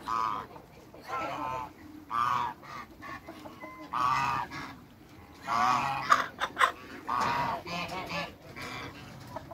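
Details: A pair of African geese kept in a backyard with other waterbirds, calling in loud nasal honks, single and in short runs, spaced every one to two seconds, over a low steady background hum.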